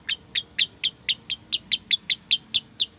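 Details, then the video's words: Shrill, piercing notes from a female lovebird in the konslet 'tired tone', a training sound for other lovebirds to copy. Twelve evenly spaced, high, harsh chirps sound over three seconds against a quiet background. "BETINA KONSLET (nada lelah)"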